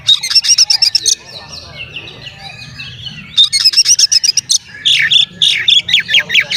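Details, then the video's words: Oriental magpie-robin singing to excite rival magpie-robins: fast, high ticking chip series about four per second, a soft warbled middle, then another chip run and loud slurred whistles. "SUARA BURUNG KACER GACOR ngeplay santai MANGGIL kacer auto KONSLET buka ekor TERAPI KACER agar EMOSI"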